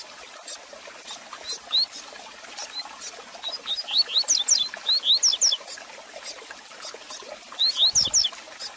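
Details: Double-collared seedeater song for warming up a kept bird: after sparse single high notes, a fast run of sharp slurred whistles, then another short burst near the end, over hiss, clicks and one low thud.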